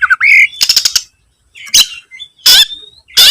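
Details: Oriental magpie-robin searching for a rival: a short whistled figure, then a rapid rattling clatter and several loud harsh rasping bursts separated by short silences.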